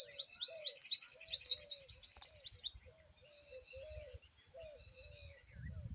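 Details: Pipit at its nest, hurrying to feed its babies after one fell out; a quick run of thin, high chirps over about three seconds, then a softer repeated low slurred note under a steady high insect-like drone.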